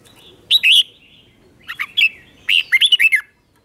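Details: Red-whiskered bulbul, a cage bird, giving its doubled-style song used to teach young birds: three separate phrases of sharp, clear whistled notes, the last a quick run of five or six chirps.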